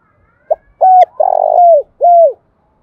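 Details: Decoy spotted dove at morning summoning wild doves with one cooing phrase: short opening note, flat coo, extended buzzy coo falling at the end, and a closing arched coo, little background.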